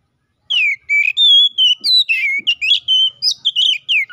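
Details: Rival-calling Oriental magpie-robin song in 'gacor ngeplong' style, used as a lure to make magpie-robins sing quickly; after brief silence, a fast stream of loud whistled notes, some downslurred, some warbled, roughly three to four per second.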